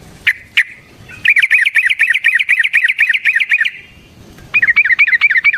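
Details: Yellow-vented bulbul in fast, long rolling song used as a lure to provoke other bulbuls. Two short notes, then a rapid run of warbled, bubbly notes repeated about five per second, a pause, then another rolling burst.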